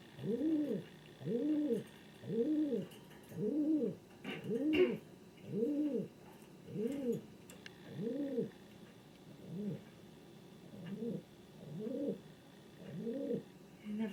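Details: Long series of about twelve low, arched coos from a king pigeon, domestic breed, nearly one per second, briefly overlaid by a clattering noise midway, the later notes slightly softer.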